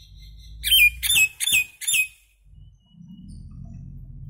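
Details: Indian myna giving four quick, loud, squawky notes with clipped whistled tails, rasping and bright, set over a soft low background hum that continues after the bird stops.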